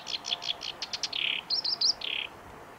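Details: At the Kita-Fuji training area, Japan, a Black-browed reed warbler sings on 16 June 2019, giving a short burst of repeated dry chips, a rough buzzy note, then squeaky high twitters and a final buzz.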